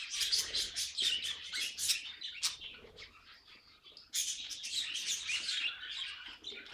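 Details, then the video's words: Pet budgerigar giving quick bursts of bright, high chirps and scratchy chatter, breaking off briefly before a loud, busy stretch resumes. "Funniest Budgie Sounds"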